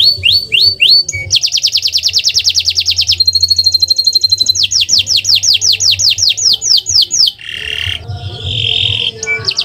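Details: Canary song used as a master recording to prompt other birds to sing: rapid buzzy high trills, several rolling rising-falling phrases and slurred down-swept notes in quick succession, with a faint low hum underneath.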